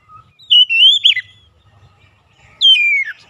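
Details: Oriental magpie-robin singing as a lure to rile other magpie-robins: two sweet, wavering whistled phrases, the first rising then falling, the second dropping steeply, with a quiet gap between and faint low background noise.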